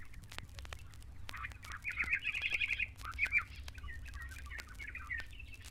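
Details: Greater Swamp Warbler among papyrus near East African lakes gives a loud, bubbling run of mid-pitched chattering notes that swells in the middle, with clicks and a low rumble behind.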